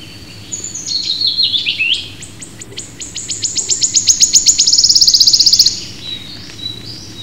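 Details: Wood warbler from Britain opening with a falling slurred phrase, then repeated high ticks that quicken into a fast, metallic, shivering trill. Faint distant chirps follow.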